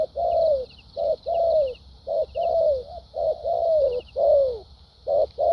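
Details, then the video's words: Vietnamese caged decoy spotted dove in the thúc gù and lèo dặm styles, giving paired coos of a brief note and a drawn-out descending note, repeated steadily, with faint high ticks and a constant hiss. "Đồng tốt tiếng bài bản.clip 870.nết chơi thúc gù,lèo dặm quá hay"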